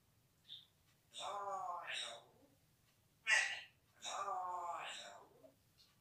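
A grey parrot talks in a human-like voice: a drawn-out phrase, a short sharp word, then another longer phrase, in a quiet room.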